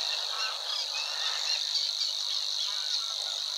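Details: Savi's warbler reeling in a marsh near the Weerribben, at Wetering West, Overijssel, Netherlands, on 6–7 May 2022: a steady, fast, high, insect-like buzz held without a break, with faint notes of other marsh birds behind it.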